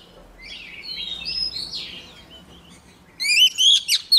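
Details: Female Oriental magpie-robin singing to stir a row of males: soft, slurred whistles for three seconds, then a sudden loud burst of steeply swooping whistled notes.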